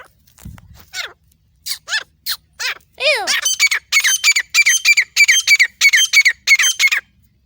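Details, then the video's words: Grey francolin from Pakistan, recorded alongside a dog. A few scattered sliding notes are followed by a loud, steady series of harsh, grating squawks, repeated roughly three times a second. "desi teetar ki 🐕 dog ka sat masati grey francoline voice mail and female sound of Pakistan"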